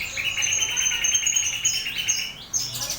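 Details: Starling song used to train other birds: a steady, rapid trill with a warbling lower note and a piercing higher whistle held together, ending in a sharp, rising chirp.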